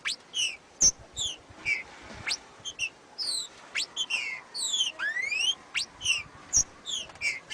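A Green-winged Saltator sings a fast run of loud, clear whistles with rising slurs and sharp notes, the phrases following each other almost without pause.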